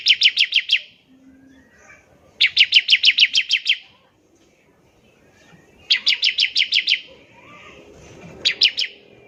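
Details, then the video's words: Bar-winged prinia delivering ngebren trills to stir other prinias into song. It repeats several bursts of six to ten quick, sharp, high notes with short quiet gaps, plus faint scattered chirps. "ciblek semi gacor, NEMBAK NGEBREN untuk pancingan ciblek semi agar cepat bunyi"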